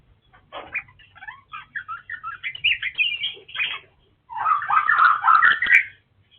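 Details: Oriental magpie-robin of the black form known locally as kacer wulung, called rare: a lively varied song of quick whistled and chattering notes, then a louder, denser burst of rich buzzy phrases near the end.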